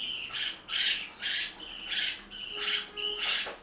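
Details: Household parakeets in Itaim Paulista, São Paulo, at mealtime: six or seven loud rasping squawks, fairly evenly spaced, over low background noise.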